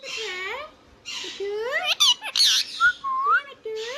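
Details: Pet Indian ringneck parrot talking, a string of nasal speech-like syllables with rising inflections, broken by harsh high squawk bursts and short whistled notes, in a small room.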